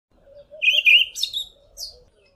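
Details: Olive Thrush singing from a tall tree, South Africa: one brief phrase, a fluty, slightly wavering whistle, then a quick run of high squeaky notes and a final thin squeak, over a faint low hum. Olive thrush.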